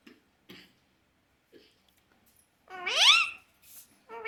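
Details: Pet parrot gives one loud, harmonic squawk that sweeps steeply upward and lasts under a second, after a few faint short clicks and scrapes, followed by brief softer calls in a quiet room.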